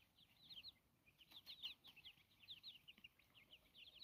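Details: Chickens grazing outdoors in a natural setting, giving quick high-pitched peeping notes in clustered bursts that come roughly once a second, with some soft clicks and a low background rumble.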